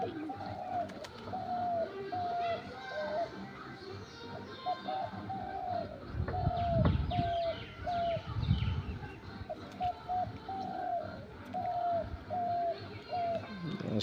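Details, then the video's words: Dabal bird calling steadily from a tree on a rooftop at midday. Short, slightly falling whistles come in runs of three or four, again and again over fourteen seconds. Low thumps and rustles sound in the middle. "ডবল পাখির মধুর ডাক"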